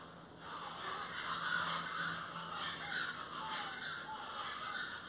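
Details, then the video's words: Plain chachalacas calling in a loud, harsh, raucous chorus of grating notes that overlap and repeat irregularly, with a steady low hum underneath. "chachalacas del golfo ( Ortalis vetula)"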